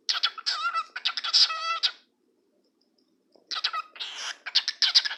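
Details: Cockatiel (Nymphicus hollandicus) talking, chattering in bursts of squeaky, warbling mimicked speech with harmonic whistles.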